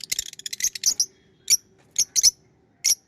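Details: High, sharp chirps from pet lovebirds, first in a quick irregular burst, then single and paired notes spaced by short pauses.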